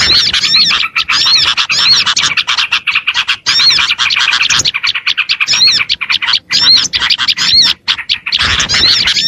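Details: Small-bird lure of Oriental white-eyes: long run of high, fast twittering with repeated curving whistles and squeaky buzzes, broken by short silent gaps, the chorus dense and lively throughout.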